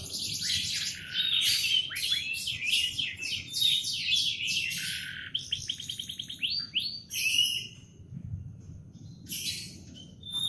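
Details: Canary singing in the morning: a long, fast warbling run of bright rising and falling trills and sweeps, dense rapid notes with short pauses, continuing strongly to the end over a faint low background hum.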